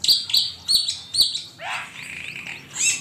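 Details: Asian pied starling master recording for songbird training: four strong, clipped high whistled notes about every third of a second, then a falling, slightly rough slur and softer warbled notes trailing off.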